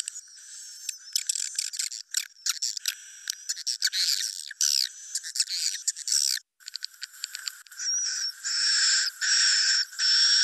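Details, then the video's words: Swiftlet roosting call, chittering in dense, high, buzzy bursts and rapid clicking trills, with a few thin whistled notes near the end. "suara inap burung walet"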